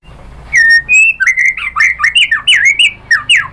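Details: White-rumped shama song used to provoke rival shamas: a clear level whistle, then a rapid series of loud whistled slurs and squeaky notes rising and falling.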